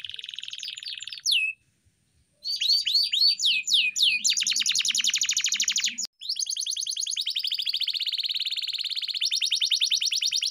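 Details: Training song for a pet canary: a buzzy burst, a brief silence, then rising whistled upsweeps leading into long rapid trills of repeated sharp notes with a soft low murmur behind.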